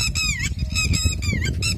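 A Red-wattled lapwing gives sharp, nasal, strained calls, several in under two seconds, over a steady low rumble of background noise.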